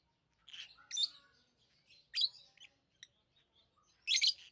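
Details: Scattered lovebird chirps. Squeaky, high, buzzy notes come in a few separate bursts, with quiet gaps between them.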